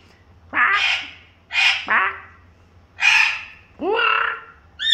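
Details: Princess parrot clowning about: loud, harsh squawks in drawn-out bursts, roughly one per second, with a low hum in the background.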